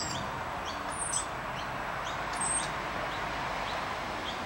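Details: Rainbow lorikeets, three of them eating bread crumbs on the ground, utter quick rising squeaky chips at an irregular pace, with a couple of louder high shrieks around the middle and constant background noise.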